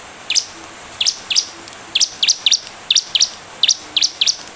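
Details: Bar-winged prinia lure song: short clusters of two or three high, clipped notes separated by pauses of under a second.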